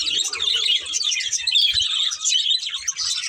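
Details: Short stretch of several budgies chirping together, rapid squeaky warbles and tweets in a steady stream, with faint low knocks beneath.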